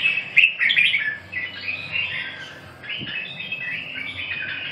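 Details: Red-whiskered bulbul uttering lively warbles and chirpy whistled notes, louder at first and then softer runs, with a single faint click midway.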